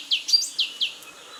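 A Black-capped Donacobius gives a quick series of high, downslurred whistled notes, about four in a second, over a quiet background.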